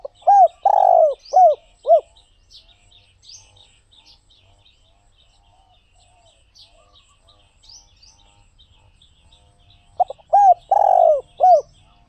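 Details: Spotted dove song in two bursts about eight seconds apart, each a run of quick hollow coos around one long rough crooning note, ending with short arched coos; high thin chirping of other birds continues between phrases.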